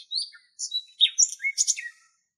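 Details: Common nightingale in Greece delivering a short varied phrase of high whistles, slurred notes and quick chirps, each element brief and distinct.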